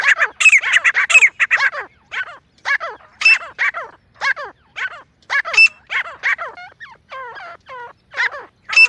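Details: Jungle grey francolin, said to be female, giving hunting-lure calls: a rapid opening burst of harsh notes, then spaced harmonic downslurred calls with occasional sharp high squeaks, ending in thinner wavering notes.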